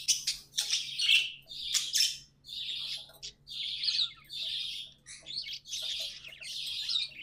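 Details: Budgies as household pets giving a steady series of scratchy, chattering warble phrases, each about half a second long and roughly one per second.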